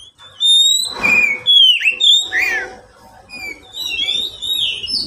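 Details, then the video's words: Pet oriental magpie-robin song used as a lure to prompt quiet caged birds to sing: rich varied whistles, slurred downward notes and high thin trills, with a harsh scratchy burst near the start and faint room noise. "Pancingan kacer untuk kacer yang malas bunyi"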